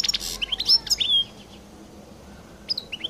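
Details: European goldfinch, distinctive song: a few sharp, high chirps and a thin whistled slur, a quiet gap, then another short cluster of bright notes.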